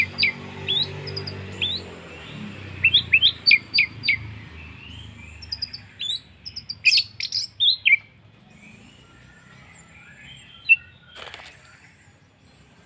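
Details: Orange-headed thrush lure song for encouraging other birds to sing: scattered sharp high chirps and short whistles in quick clusters, then sparser notes, over steady low background noise.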